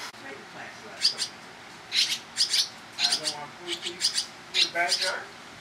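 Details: Young barn swallows fed by fast-returning parents on private property in Toronto, Ontario, Canada, in July: bursts of high, sharp, chattering begging calls, often in quick pairs, spaced about a second apart.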